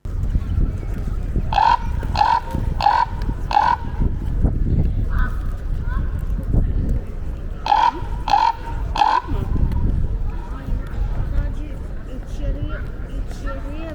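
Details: A raven at the Tower of London, behaving normally, gives its deep "cronking" call: two runs of hoarse croaks, four then three, about one every half second, over steady crowd rumble and murmuring voices.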